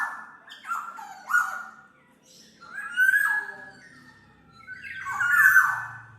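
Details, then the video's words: Black-naped oriole for songbird tutoring and lure use: mellow whistles and harsh falling notes in three swelling phrases, with a faint low rumble underneath. "SUARA BURUNG KEPODANG MAS, untuk masteran/pikat"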